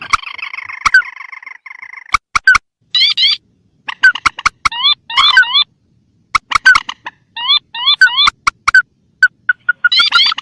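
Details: Swamp-bird lure recording of the mandar (pelan) rail against tikusan crakes: a drawn-out nasal moan, then sharp clicks and groups of rising squeaky notes repeated in short bursts.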